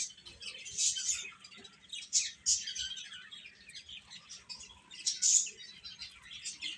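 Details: Chick peeps arrive in scattered bursts of sharp, high chirps, with quieter gaps between the louder clusters.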